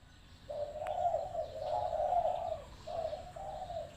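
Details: Spotted dove, a lively caged decoy bird used for trapping wild doves, giving a low, mellow cooing phrase: a short opening note, then a long rolling coo and two shorter coos, with quiet rural background.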